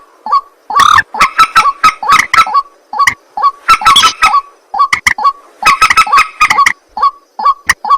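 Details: A white-breasted waterhen calls at night with rhythmic, harsh 'ruak' croaks, loud stuttering bursts alternating with short grunting notes in a steady repeating pattern.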